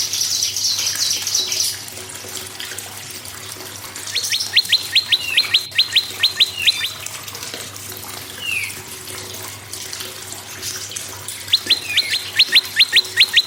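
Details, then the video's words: Prinia song for tutoring other songbirds: bursts of rapid, evenly spaced high sharp notes, about ten in a quick run, repeated after a pause, with scattered chirps and a steady watery hiss behind. "PRENJAK LUMUT GACOR PRENJAK KEPALA MERAH GACOR"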